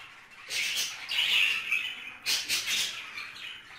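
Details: Budgerigars mating inside a cage: bursts of harsh, buzzy chatter and squawks between quiet gaps, with scratchy warbling notes clustered in two loud spells.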